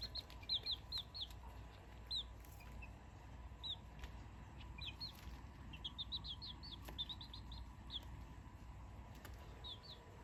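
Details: Chick calling before sleep on 7 November 2024: bright, high, arched peeps in irregular bursts of two to five, some runs faster, separated by short silences, a soft hum underneath.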